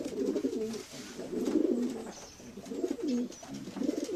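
Domestic pigeons coo in low, throaty, rolling phrases, several overlapping bouts in quick succession, with a faint roomy echo.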